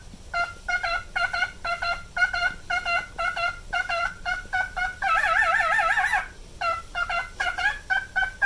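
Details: A pet male cockatiel aged nine repeats short even whistled toots about twice a second, then breaks into a long quavering vibrato note before returning to the clipped toots.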